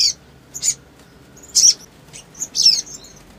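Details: Scattered, very high, sharp sunbird chirps from a male, some doubled, with faint thin whistled slides between them; calm background.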